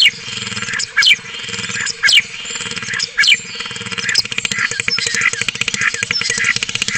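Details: Spotless starling song picked up by a nesting webcam in Cabañeros National Park: rising whistled sweeps about once a second give way to fast rattling clicks, with a constant low hum underneath.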